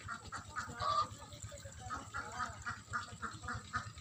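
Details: White farm geese, said to be happy in the water, give a quick series of short nasal honks, roughly three or four each second, over a steady low hum.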